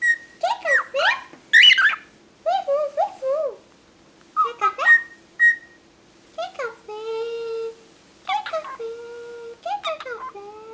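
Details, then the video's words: Pet cockatiel talking and whistling indoors: chattering mimicked phrases with warbling slides, then long steady whistled tones with stacked overtones, alongside a person's speech. "CALOPSITA fala demais"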